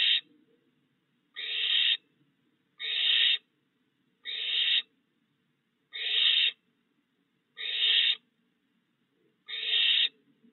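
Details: Barn owl near a light perch in a yard on the night of June 22, 2022, after three owlets fledged while the father keeps feeding them. A steady series of seven harsh, noisy screeches, about one every one and a half seconds.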